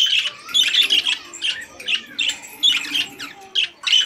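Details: Budgerigars singing in a cage, a burst of rapid chattering warble broken into short squawky phrases about every half second, bright and scratchy throughout.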